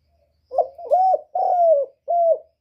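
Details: Lone spotted dove phrase intended to stimulate birds: a brief rough stutter, then a rounded coo, a longer falling hoot, and a crisp closing coo, all soft and mellow.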